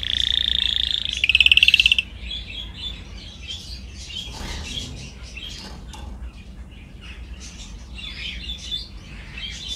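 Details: Canary song from a training recording opens with two loud, high rolled trills, the second slightly lower and faster, followed by soft scattered twittering and chips at a lower level.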